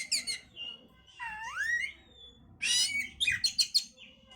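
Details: Kacer (oriental magpie-robin) singing to boost breeding condition: a long rising slurred whistle between bursts of harsh buzzy notes and a quick series of loud repeated chips, over faint low hum.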